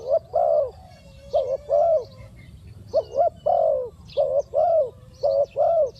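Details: Decoy spotted dove cooing to lure wild doves: low, hollow coos given in short clusters of two or three notes, repeated steadily across the recording, with faint higher chirps in the background.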